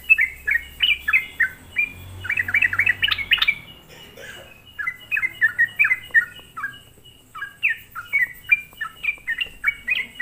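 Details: Sooty-headed bulbul lure recording for provoking other bulbuls; quick chattering chirps with a crowded, excited flurry early on, a pause near four seconds, then evenly spaced bright notes, low hum underneath.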